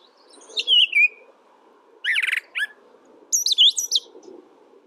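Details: Brown thrasher singing three separate phrases: a descending slurred whistle, a dense burst of buzzy chirps, then a jumbled high twittering phrase, with a soft low hum underneath.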